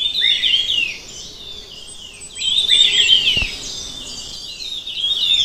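Red-tailed minla giving high, thin twittering phrases, bursts of quick chirps sliding down and up, repeated over several seconds with a soft click in the background.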